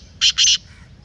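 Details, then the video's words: Black francolin, a strong voice used to stir up a kept francolin: two loud, harsh, rasping notes close together, the second longer, with no other sounds. "Kala Teetar masti aur chakri k liye behtareen awaz/Black Teetar Voice"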